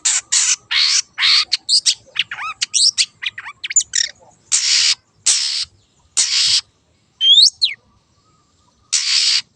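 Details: Wild long-tailed shrike singing vigorously as a lure: dense run of loud harsh rasping notes mixed with looping whistles, then spaced scratchy bursts and a sharp upward-curving whistle.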